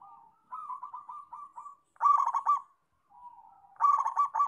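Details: Local zebra dove in vigorous song: a soft, rolling run of rapid cooing notes gives way to louder, clipped, rhythmic coo phrases, with two strong bursts separated by a quieter murmuring stretch.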